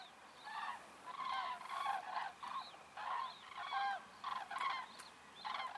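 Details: Among over 20,000 common cranes, the first arrivals flying after sunset to roosts on Ummanz, West Rügen, a flock gives loud, rolling trumpeting calls in overlapping bursts about every second; one group landed on a field at dusk.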